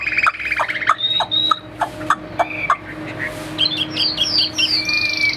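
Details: Chinese hwamei, a caged bird offered for sale in Vietnam, gives a run of sharp clipped notes, then clear level whistles and a quick sequence of slurred high phrases.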